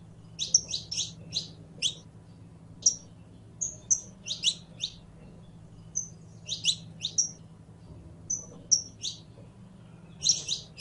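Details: A saffron finch sings a steady series of bright, high chips and brief downslurred whistles, often in pairs or triplets, with short pauses between bursts and a soft background hum.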